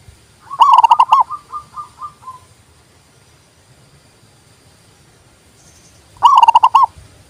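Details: Zebra dove (perkutut) song, played to prompt silent doves to sing and used for luring: a rapid stuttering burst of low coos, then five softer spaced notes trailing off, a long quiet pause, and a second fast burst.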